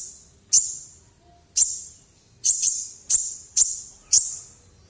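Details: Sunbird calling at full strength: six sharp, very high metallic notes, irregularly spaced, some in quick pairs, each ringing briefly before fading.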